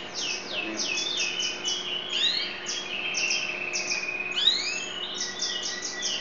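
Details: A yellow F2 canary (Serinus canaria) sings a continuous, high, rapid run of trills and sweeping whistled notes, with repeated descending slurs and a few rising phrases.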